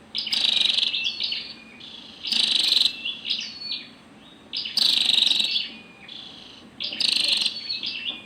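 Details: Calls of a female scarlet-backed flowerpecker: loud hissing, buzzy bursts alternating with quieter high whistled notes, coming in clusters about every two to three seconds.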